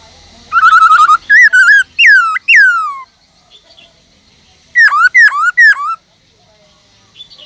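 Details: Forest-voice song of a captive Black-throated Laughingthrush, a bird that sings many voices: a brief trill, slurred whistles, a long drawn-out descending whistle, a pause, then three sharp emphatic whistled notes.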